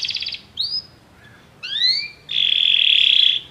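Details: Canaries singing in chorus after hearing music: a brief pulsed burst, clear upward-slurred whistles with bright overtones, then a long, loud, even buzzing trill held for about a second.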